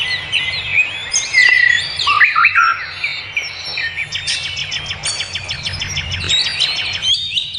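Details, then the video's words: Wild birds singing in nature: a busy mix of bright whistles, chirps and rapid high trills, several voices overlapping, loudest in the first half, with faint low background rumble. "Suara kicau burung di alam"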